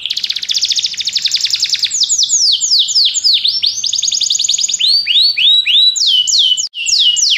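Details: Belgian canary song for stimulating other canaries to sing: rapid buzzy trill opening into a string of loud downward-sweeping whistles and further trilled phrases, continuous and high-pitched.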